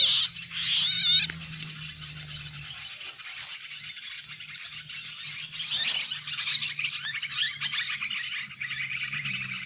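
Black-crested bulbul calls played back as a lure: bright, bubbling warbled phrases, then rapid chattering notes, over a low steady hum.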